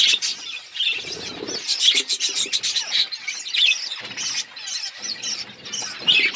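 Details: Colour budgerigars and their growing chicks give steady overlapping chirps and scratchy warbles, a rapid run of clicking notes near two seconds, and low rustling between bursts.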